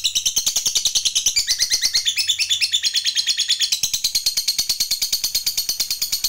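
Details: Lure song of a lovebird for stimulating other lovebirds: an unbroken, very fast series of high, buzzy chattering notes with slight shifts in pitch.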